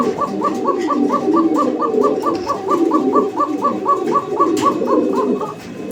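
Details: An original pair of Koka pigeons, male and female, kept as fancy pigeons in Dhaka, Bangladesh, with an excellent call: rapid, rhythmic cooing pulses repeated about three times a second for several seconds, over a low rumbling hum in a small room.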